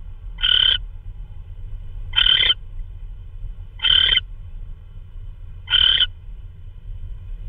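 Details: Owl delivering prey, possibly a vole, at 3:12 AM on March 16, 2013; four short, harsh screeches, each under half a second, are spaced about 1.7 seconds apart over a soft low drone.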